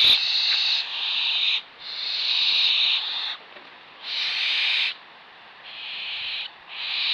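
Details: Harsh, breathy screeching hisses from young barn owls being fed on a perch, drawn-out bursts of about one second separated by brief pauses.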